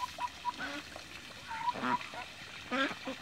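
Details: Swimming Toulouse geese, adults and young, in a backyard trade short nasal honks and a few brief higher squeaky notes, scattered unevenly over a few seconds.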